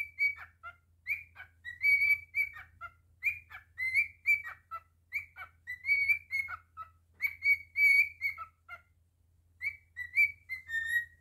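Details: Pet cockatiel performing a continuous whistled song of quick rising and falling phrases, bright clear notes strung together over eleven seconds with only short pauses, faint low hum in the background.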